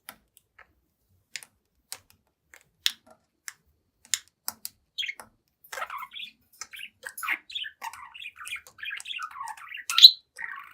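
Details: Seven-month-old budgie in front of a mirror: sparse dry clicks for several seconds, then building into quick chattering warble with squeaky chirps and one loud sharp note near the end.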